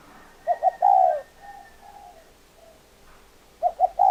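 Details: Spotted dove cooing: a full short-short-long phrase, then quieter distant coos, then a second phrase beginning at the end. The notes are low, soft and hollow.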